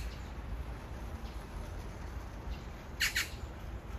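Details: A magpie calling to its mate a few meters away, a love serenade; one harsh, rasping double squawk near the end over low, steady background rumble.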